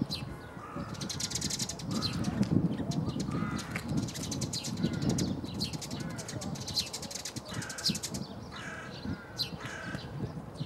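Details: Eurasian tree sparrows at Bundek, Zagreb, Croatia, on 9 March 2015 give harsh, dry chirps in quick, uneven bursts, several birds overlapping, over a steady low rumble of background noise.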